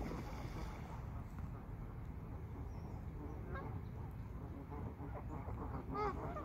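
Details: Geese in a pond give a few short nasal honks with stacked harmonics, a louder one near the end, set against a steady low rumbling background.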